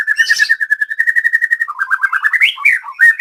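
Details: Caged white-rumped shama at a latber practice in Banyumas, Central Java. It gives a steady, rapid stream of mid-pitched trilled notes that later break into rising and falling warbled phrases.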